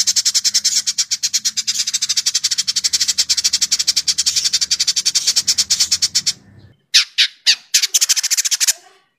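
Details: Indigo bird with a dense, sharp chattering voice used as tutor material for cage songbirds: a continuous buzzy rattle of very fast high notes for over six seconds, then a brief silence and a few separate harsh bursts.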